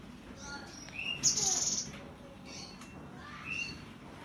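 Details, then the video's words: Tembakan song of a cinereous tit, recorded Monday 15 September: a sharp, buzzy, high rattle lasting about half a second amid scattered thin whistles and short chirps, with a low hum throughout. "TEMBAKAN GELATIK BATU!!!!!!"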